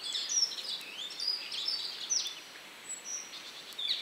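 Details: Red crossbill sitting high in a bare tree, giving sharp, high, thin call notes scattered irregularly through four seconds over steady hiss.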